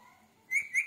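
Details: A talking male Indian ringneck parrot giving two quick, bright whistled notes, each rising slightly and about a quarter-second apart, over a faint background hum.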